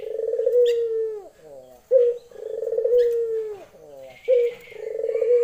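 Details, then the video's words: Female Barbary dove of local stock calling for a male, in the lenjeh style: a short clipped coo is followed by a long rolling coo that droops at the end. The pair repeats about every two seconds. "puter betina memanggil jantan.lenjeh"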